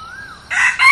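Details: Decoy red junglefowl under trial: a faint thin rising whistle, then the harsh, raspy opening of a crow in two loud bursts that cut off abruptly.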